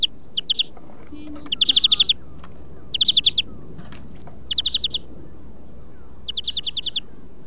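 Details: European greenfinch song for song training: quick trilled phrases of rapidly repeated notes, about one every one and a half seconds, each a short rattling run, over soft background noise.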